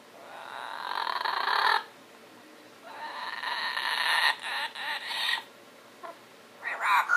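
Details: Pet parrot talking in its sleep: two long murmured, speech-like phrases of rough, harmonic syllables, then short quieter bursts and a brief squeak at the end, in a quiet room.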